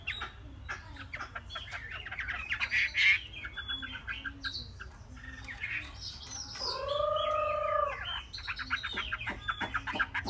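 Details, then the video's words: Chinese hwamei aged three months pouring out rapid chirps and trills, broken midway by a longer, steady, harmonic drawn-out note lasting about a second, all over a low hum. "họa mi"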